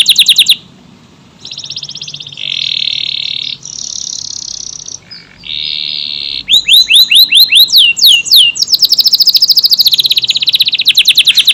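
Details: Canary in sustained song of tight bursts, used to tutor other cage birds: buzzy, harsh rolled trills in blocks with short pauses, then fast sweeping whistled slurs and a high chattering trill.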